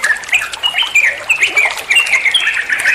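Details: Bulbul, a trucuan, singing a master song played to train other songbirds: a busy, continuous run of bright chattering and whistled phrases with quick slurred notes, high and dense throughout.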